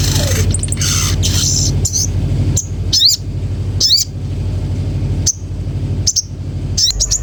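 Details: Common iora producing separate sharp, upward-sweeping whistled notes roughly once a second, each clear and ringing, between quieter gaps filled by a steady low mechanical hum.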